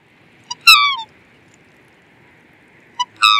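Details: Black swan giving two loud, harmonic, nasal calls that slide downward, each led by a short soft note, about two and a half seconds apart; a faint steady high hum runs underneath.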